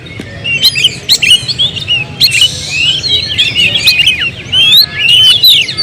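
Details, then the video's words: Oriental magpie-robin song of rapid mixed phrases: quick rising and falling whistles, clicks and scratchy squawk-like notes packed closely together, loud and nearly unbroken throughout. "suara kicau burung Kacer"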